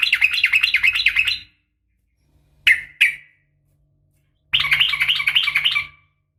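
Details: Yellow-vented Bulbul female calling to the male, a fighting sound. A fast rolling chatter of bright chirps lasts over a second. Two single sharp notes follow after a pause, then another long rapid chattering run, with a low steady hum underneath.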